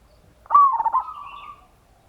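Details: Local zebra dove (perkutut) singing a lure song in the ngayer kerot nutut style, meant to stir other doves into song: a single loud, mid-pitched cooing phrase that starts with a sharp note and trails into a soft, rolling trill for about a second.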